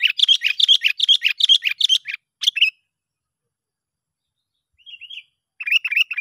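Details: Lure call of a sooty-headed bulbul, meant to attract other bulbuls: a fast burst of rapid chirping notes, a few isolated chirps, a long silence, then soft warbled notes and a renewed chirpy burst.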